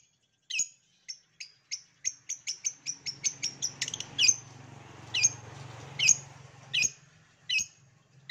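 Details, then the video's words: Long-tailed shrike master song used to get reluctant shrikes to answer and sing: a quickening series of short, sharp, high chirps, then louder, spaced, harsh downslurred notes about once a second, over a low steady hum. "CENDET MALAS PUN AKAN NYAUT APALAGI MASTERAN CENDET PASTI BAKAL NARUNG DIJAMIN"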